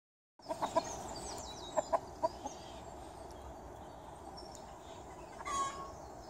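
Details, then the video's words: Chickens in a garden giving a few short, low clucks in a quick cluster near the start, then quieter clucks, with thin high songbird phrases and a steady background hiss. "Hühner im Garten"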